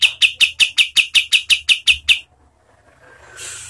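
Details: A string of about twelve crisp, evenly spaced chirps from a kapas tembak, a training and lure song for contest birds, ending in a soft hiss of noise.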